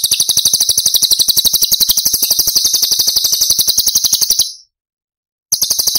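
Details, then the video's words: Cucak cungkok tembakan song, recorded as masteran for other songbirds: a long unbroken high buzzy rattle of rapid even pulses, abruptly cut off, then resuming after a second of silence. "Cucak Cungkok Istimewa ~ Tembakan Istimewa Cililin"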